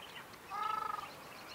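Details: Soft, rolling drawn-out honk with a pulsing, trembling quality, lasting about half a second, from a wild ruddy shelduck along the river marsh at Aoulouz Gorge, Morocco; quiet background.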